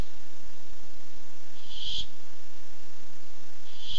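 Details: On 8-7-15, a Barn owl looking for food utters a rough, hissing screech in mid-clip and starts another at the very end, with a low steady hum beneath.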